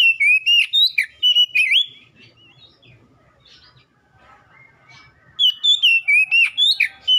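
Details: Song of the Oriental magpie-robin (kacer) for ombyokan practice, prompting caged birds to respond and sing: clear looping whistles and sharp tweets in fast bursts, a quiet pause of about three seconds, then another loud volley of varied whistled notes.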